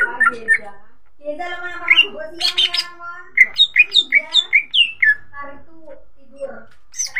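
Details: Lure song of a greater green leafbird (cucak ijo), meant to set other birds singing: mixed squawky notes open, then a rapid run of clear, high downward-slurred whistles repeated in quick succession, ending in scattered softer phrases.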